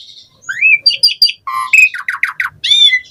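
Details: Asian pied starling song played to prompt other starlings to sing: a rising slurred whistle, nasal chattering notes, a low buzzy note, then a rhythmic run of rough repeated squawky syllables.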